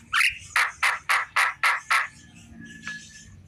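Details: A Javan myna in the afternoon utters six loud, harsh, grating notes in an even rhythm about four per second, then a faint high whistle.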